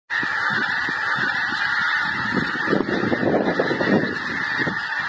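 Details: Migrating geese calling as a flock: a dense chorus of overlapping nasal honks, repeated rapidly and building louder toward the end, over a steady background hiss.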